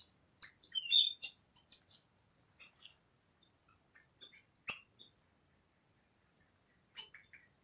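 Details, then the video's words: Irregular high chips and brief squeaky twitters from a tanager, coming in loose clusters with short gaps, in quiet surroundings. "SONIDO DE LAS TANGARAS"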